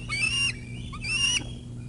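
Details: Bald eagles at the Decorah North nest squabbling over a food drop on 21 July 2021: two high, thin squealing calls, each about half a second long with a slight rise, over a steady low hum.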